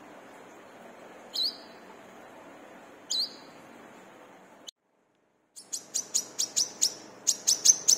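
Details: Brown-throated sunbird (wiceh, kolibri kelapa) singing briskly as a training lure for caged birds: two isolated high, thin chirps, a break, then a rapid burst of about ten sharp high notes rising in loudness.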